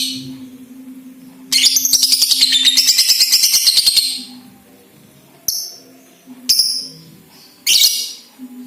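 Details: Young lovebird (balibu) giving a ngekek trill meant to prompt other lovebirds to sing: after a soft start, a loud, buzzy, rapidly pulsed chatter for about two and a half seconds, followed by three short sharp squeaky bursts.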